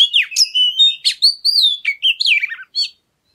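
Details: Oriental magpie-robin singing as a lure to set other birds singing: one continuous rich phrase of clear whistles, long slurred notes and quick chirps, closing with a short trill and then silence.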